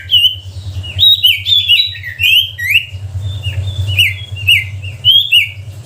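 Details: Sooty-headed bulbul singing steadily, played as a lure to provoke reluctant bulbuls to sing: a rapid run of short, bright, slurred whistled notes, many dipping downward, repeated throughout over a steady low hum.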